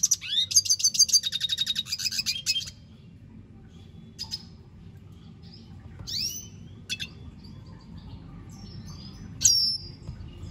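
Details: Red siskin giving a brief burst of fast buzzy trilling, followed by quieter gaps with a few isolated sharp upslurred whistles.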